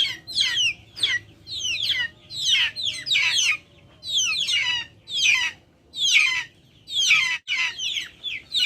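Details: Backyard chickens: bursts of high, shrill, downward-sliding calls in clusters about once a second, with short quiet gaps between them.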